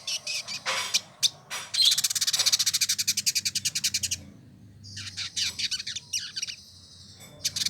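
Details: Male village indigobird from Bandung, West Java, Indonesia, singing energetically as a tutor bird. A rapid, dense run of high ticking notes lasts about two seconds, followed by a pause and then scratchy, buzzy chirping phrases. Faint low hum in the background.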